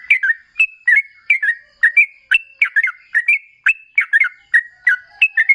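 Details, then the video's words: Sooty-headed bulbul in long continuous ropel song, a lure to make other bulbuls sing back: an unbroken series of liquid, bubbly double notes with rising and falling whistles. "Suara TRUCUKAN GACOR Ropel Ngalas"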